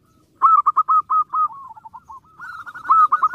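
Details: Singing zebra dove, used to provoke rival birds: clear staccato coos in quick succession, dipping lower and slower mid-phrase, then speeding up again at higher pitch, against a quiet background.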